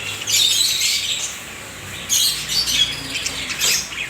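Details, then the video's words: Many budgerigars singing together in a colony; a dense, continuous chatter of high warbles, chirps and squeaky notes from many birds at once, with no single voice standing out. "Many buggies parrots sings together in colony"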